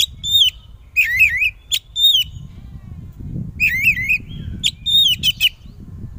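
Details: Oriental magpie-robin (kacer), a kept songbird of the kind entered in song contests, singing loudly to provoke other magpie-robins to answer: rich whistled phrases with rolling warbles and sharp clear notes in bursts, with low rumbling background noise.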